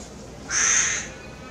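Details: A single loud, raspy caw of about half a second from a tame hooded crow in Maalot-Tarshiha, Israel, recorded at close range with faint background hiss.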